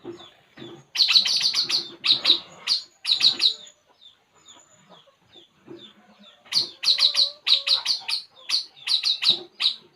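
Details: Puling bird calling while relaxing: rapid bursts of sharp, high chirps run together in chattering strings, broken by short quiet gaps with a few soft faint notes.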